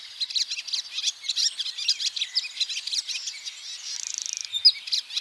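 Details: Barn swallow twittering, given as a comparison with swifts: a steady run of high chirping notes and warbles, then a fast dry rattle near the end.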